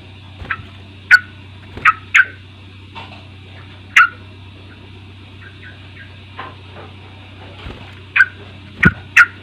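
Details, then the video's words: Sooty-headed bulbul chirping, played as a lure to get a young bird singing: brief clipped notes in loose groups of two or three with gaps between, a constant low hum underneath. "Pancingan KUSUS trucuk bahan agar mau bunyi"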